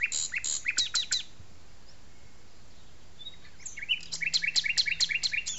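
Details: Arboretum in France with a common nightingale singing: a burst of rapid harsh notes, a quiet gap with a thin whistle, then a long fast run of loud repeated chips.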